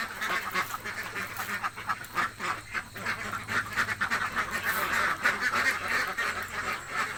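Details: Hungry ducks in a village quacking together, a loud rolling mass of rough, nasal quacks about three per second, with a low droning hum in the background.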